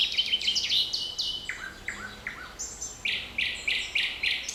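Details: Forest birdsong recorded on 7 May 2020: quick series of high chirps and downward-sweeping notes, phrases repeated several times per second, a rising run near the end, soft background hiss.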